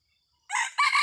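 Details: A red junglefowl rooster used as a hunting decoy, 30 October 2023, crows abruptly after silence: a hoarse rising syllable, a short break, then a loud raspy final phrase cut off at the end.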